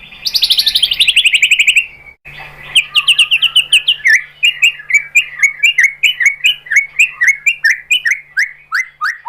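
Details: White-rumped shama singing as a lure meant to stir other birds into answering: a fast buzzy high trill for two seconds, a brief pause, then a steady series of sharp, downslurred chirps about four per second.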